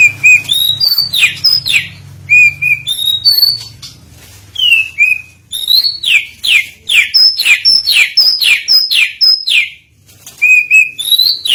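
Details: Provocation lure of an oriental magpie-robin: long varied song of rising whistles and steep falling sweeps, delivered in quick repeated bursts with brief pauses, faint hum at first.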